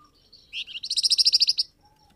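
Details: Flamboyan bird call for prompting wild birds to answer. Two rising notes lead into a steady, rapid trill of about a dozen high, clear, metallic notes.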